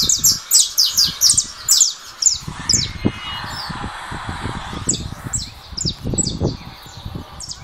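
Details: Caged saffron finch, 'russo' style, just out of molt, competing with a recorded bird played on a second phone; rapid run of bright descending chips, then a slower series of high downslurred notes.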